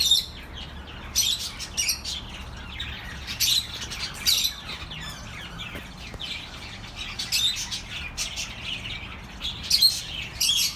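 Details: Chirping birds played to soothe lonely pet birds: bursts of bright, high chirps and short squawky notes come in clusters every second or two over a steady low hum.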